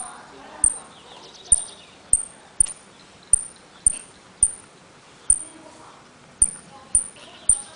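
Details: Saffron finch (jilguero) of the 'El Correntino' style from Trenque Lauquen giving a series of short, very high whistled pitadas, roughly every half second to second, each with a sharp click, against a quiet background.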